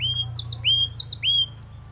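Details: Clear, level whistles from a yellow-cheeked tit, each introduced by a short upward flick, given in a lilting sequence over a noticeable low background drone.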